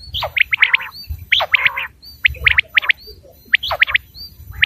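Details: Common quail calling in brisk clusters of sharp liquid notes with some nasal harmonic notes, over constant low rumbling background noise and a faint high whine.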